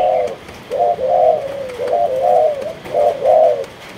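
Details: Spotted dove of the Malaysian type, a kept bird, coos in three soft, rounded phrases. Each is a quick double note running into a longer, gently falling coo, with a low background hum.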